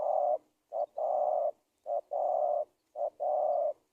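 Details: Spotted dove phrases played to lure wild doves into traps: three evenly spaced mellow phrases, each a short punchy note followed by a long, level coo, roughly one phrase per second and a quarter.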